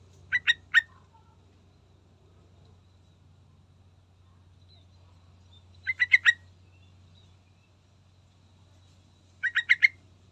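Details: Yellow-vented bulbul giving three short, bubbly phrases of three or four quick liquid notes, spaced several seconds apart, over a steady low hum; used as a lure to prompt other bulbuls to sing.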